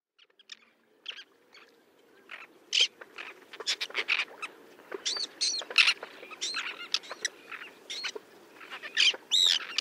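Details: A small flock of Roseate terns diving for fish off the coast of Hauxley, Northumberland, in July 2012 gives a busy series of harsh, rasping calls and sharp chips in quick, irregular, overlapping bursts against a faint low rumble.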